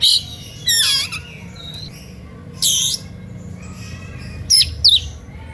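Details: Oriental magpie-robin giving a provocative song that prompts rival birds hearing it to join in; loud harsh squawky bursts and ringing whistled notes with downward sweeps, spaced by quiet gaps over a low background hum.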